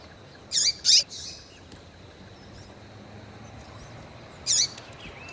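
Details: Female Double-collared Seedeater peeping to excite males: a quick pair of high, sharp chips, then a single hooked chirp after a pause of over three seconds, with steady background hiss.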